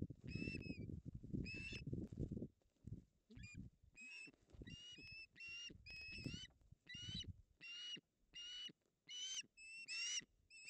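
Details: Pair of ospreys tugging over a fish on their nest, Puszcza Napiwodzko-Ramucka, Poland, August 16, 2021. After early low scuffling noise, a long run of about a dozen shrill whistled calls repeats roughly every second.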